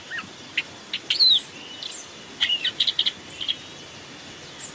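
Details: Long-tailed shrike in a forest masteran decoy recording: a lone downslurred whistle, then a quick cluster of clipped high chips and scattered single ticks separated by quiet gaps.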